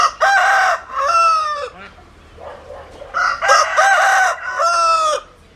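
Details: Two loud rooster crows, each harsh and stretched, with several segments ending in a falling tone. A quiet gap separates them.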